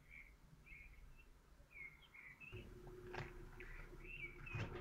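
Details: Common kestrel laying an egg at its nest in Théding, France, 14 May 2023, giving a string of short thin whining notes at irregular intervals, later overlapped by scuffling and knocking sounds.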